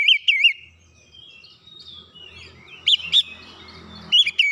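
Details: Oriental magpie-robin singing to stir a lazy bird into song: a few sharp whistled notes in short bursts near the start, middle and end, with quiet gaps between.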